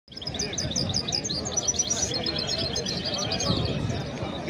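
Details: A hybrid of a male goldfinch and a female canary sings a fast, high twittering song of tinkling notes and short trills without pause, with a man's voice and room noise underneath.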